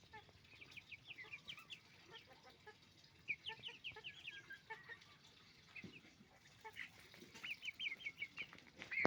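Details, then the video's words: Roosters and hens on a chicken farm keep up a noisy chorus of short, squeaky, rising clucks in uneven runs, with a few clicks and a sharp loud squawk at the very end. "Moment of the sound of a chicken farm, roosters and hens making noise"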